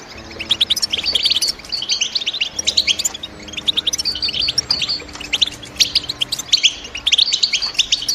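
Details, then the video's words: Chirping of European goldfinch: quick bursts of high, liquid twitters and sharp tweets, with short gaps between phrases and steady faint background hiss. "The GOLDFINCH CHIRPING SOUND"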